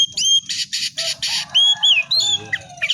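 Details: Caged White-rumped shama singing in a lively, energetic manner: loud bursts of harsh buzzy notes repeated in quick succession, then clear whistled slurred phrases rising and falling, with a low hum beneath.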